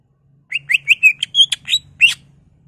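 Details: Greater green leafbird song as a lure for other leafbirds, a quick string of about eight sweet whistled notes, each slightly rising, with a faint low hum underneath.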